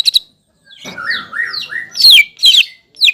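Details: Greater green leafbird, a caged bird provoking a rival, gives a few quick chips, a series of soft slurred whistles, then loud sharp downslurred whistles.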